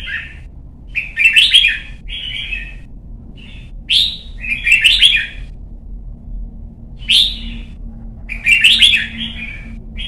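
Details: A young red-whiskered bulbul in song training gives bright, bubbly warbled phrases, each about a second long, repeated in loose bursts every few seconds over a faint low hum.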